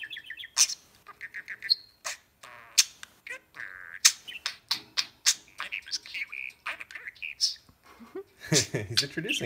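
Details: Captive budgie greeting a newly introduced companion bird: rapid clicking, buzzy bursts and short whistled notes tumbling together in lively, uneven chatter inside a room.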